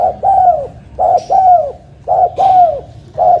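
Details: Tame spotted dove cooing: soft, low hooting notes in short groups, a brief coo followed by a longer drawn-out falling coo, repeated about once a second.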